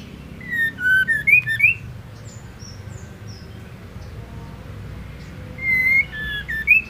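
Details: Singing female white-rumped shama, a song used to rouse males and provoke them into singing: a rapid run of varied whistled slurs with crisp high ticks, a few soft faint notes, then another whistled phrase after a long pause over steady hiss.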